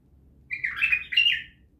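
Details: Bulbul singing a loud, fluty two-part warble, liquid slurred notes run together in under a second against a quiet background.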